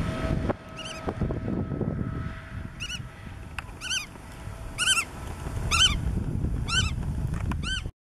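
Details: Black-tailed godwit filmed on Marken in June 2020: a series of nasal, upslurred calls repeated about once a second, each with strong overtones, over a loud low rumble of wind or traffic.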